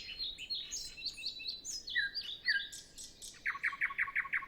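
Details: Early-morning nightingale song, no wind, other birds silent; varied high whistled and slurred phrases, then a rapid run of loud repeated chunky notes.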